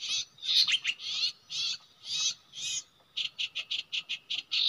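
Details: Common iora singing at a usual nesting site: a run of harsh buzzy bursts followed by a faster sequence of short rhythmic chirps, all high-pitched, over a faint background hum.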